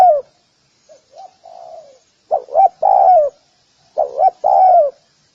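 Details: Gù kích bổi lure call of a spotted dove drawing other doves; soft low coos open, then two loud phrases of two short notes and a long descending coo.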